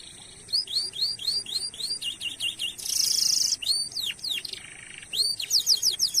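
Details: Canary song used as a lure to make other canaries sing ('cuit cuit', long rolling): quick rising chirps in series, a dense buzzy rattle, sharp falling slurs, then a short low buzzy band.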